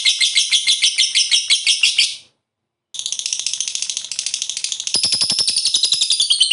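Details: Lovebird in long ngekek chatter: shrill, buzzy, rapidly pulsed trills repeated about three times a second, broken by a brief silence before the fast chattering resumes and grows denser toward the end.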